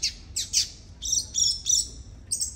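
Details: Captive Double-collared Seedeater (Baiano brown/pardo type) in heavy molt, set out for a sunbath after bathing and kept near females, giving bright high chirps, then a quick steady run of sharp repeated tui-tui notes, over faint low background noise.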